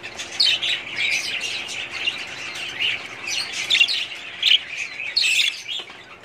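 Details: Budgerigars in a breeding colony, 2017: dense overlapping chirps and scratchy warbles from many birds, with louder squawky notes rising above the chatter every second or so.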